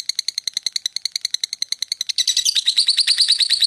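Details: Lovebird in long ngekek chatter lasting over two minutes: a fast, even string of high, rasping chips, about seven a second, that grows denser and louder near the end.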